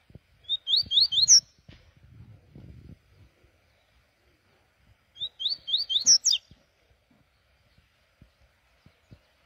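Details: Double-collared seedeater (coleiro) in the morning, giving two short bursts of song about five seconds apart, each a run of rapid rising whistles ending in a sharp higher note, with quiet clicks and taps between.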